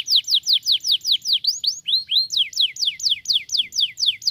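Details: Canary singing to stimulate other canaries: repeated falling whistled notes, about four each second, briefly broken by a few rising slurred notes before the falling series resumes.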